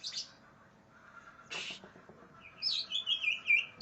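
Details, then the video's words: Greater green leafbird in an aggressive mood, seeking an opponent: a short high buzzy note, a pause, a sharp broadband burst, then a run of bright, quickly warbled whistles high in pitch. "cak ijo NGAMUK cari LAWAN NO KAWAN"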